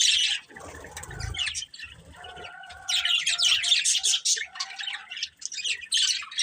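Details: Pet budgerigars chirping, starting softer with a low thump and a faint steady tone, then rising into bright, busy high chattering and rapid warbled tweets.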